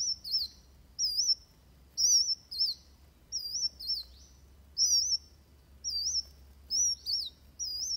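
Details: Van Hasselt's sunbird, fighting song for training birds: high warbled whistle phrases with a wavy, twisting pitch, each about half a second, repeated roughly every second.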